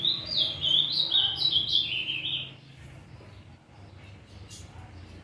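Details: Immature Azulão in brown plumage beginning to sing: roughly two seconds of quick, high warbled notes stepping downward, then the phrase breaks off into quiet background noise and a low hum.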